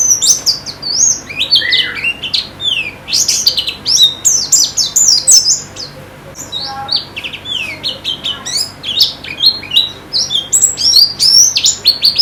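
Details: White-eye in full song for training: busy, high-pitched twittering of quick sweeping notes in long runs, a short gap midway, then more chattering phrases.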